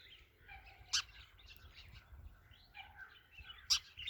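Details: Sparrow chirping in quick, high, slightly slurred notes, with two sharp, loud ticks standing out against a quiet background.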